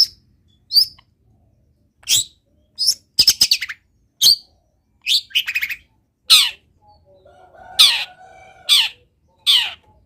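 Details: Long-tailed shrike pouring out song laced with copied wild-bird calls: high sharp chips alternate with rapid stuttering trills, then broader harsher notes with a soft lower murmur late in the run.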